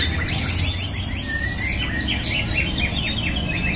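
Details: White-rumped shama (murai batu), a contest bird, singing in a songbird competition 'shooting' duel: rapid series of high, sharp chirps and slurred whistles repeated in quick succession over a steady low hum of crowd background.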